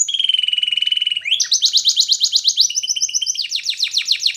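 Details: Belgian canary song played for training young canaries: a long steady nasal tone with a fast pulsing beat, then a rising slur into quick rolling trills, ending in a faster repeated chop.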